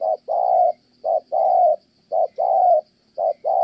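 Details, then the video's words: Kon Tum, Vietnam: a spotted dove used in trapping coos in even pairs, a brief note then a longer, rich, level-to-falling coo, each pair spaced about a second apart. "Thổ Âm Tốt, đang gù ngon thì mái phá đám"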